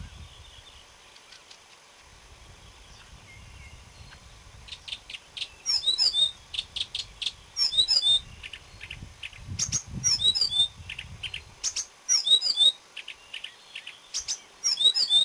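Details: Marsh warbler, 30 May 2010. After a few quiet seconds, a dense, fast song begins, made of high twisting whistles and buzzy chatter bursts that keep coming without pause.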